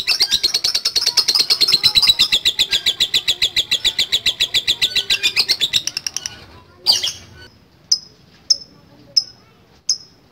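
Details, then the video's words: Lovebird in a long ngekek: a rapid high chattering trill for about six seconds, then stops, followed by a few separate sharp chirps spaced about a second apart. "LOVE BIRD GACOR NGEKEK PANJANG"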